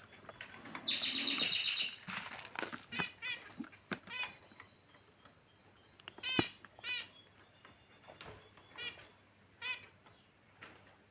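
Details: Finches kept in a cage call and move about; a bright high trill opens, then short nasal chirps come every second or so amid soft rustling and wing flutters.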